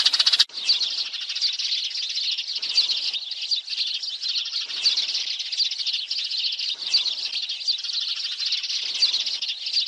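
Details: Sparrows, birds said to live in flocks around people, heard in a recording for trapping them: a dense, continuous chorus of high, overlapping chirps and twitters. A brief louder burst opens it.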